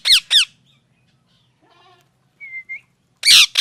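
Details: Loud parrot squawking: two harsh downslurred calls, softer chattering and a short whistle in between, then a final raucous squawk.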